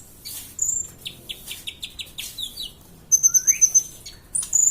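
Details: Kolibri ninja (sunbird) song meant to coach other birds: a run of evenly spaced sharp downward chips, a rising slurred note, then a bright high trill and closing whistle.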